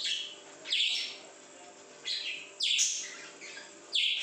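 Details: {'text': 'Pet parrot in a happy mood at home: short, bright squeaky chirps in separate bursts about every one to two seconds, with a low background hum.'}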